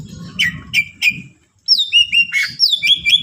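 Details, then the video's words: Greater green leafbird song aimed at stirring other leafbirds to sing: three short sharp slurred calls over low background rumble, a brief pause, then a fast string of bright whistled notes and chirps. "cucak ijo gacor full isian mewah rayu c ijo lain bunyi"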